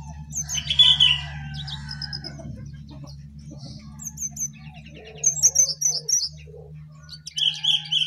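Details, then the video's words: Jongkangan perched atop its cage and singing energetically: quick series of high chirps and short twittering trills in bursts, with a constant low electrical hum behind. "Jongkangan Gacor Di atas Sangkar"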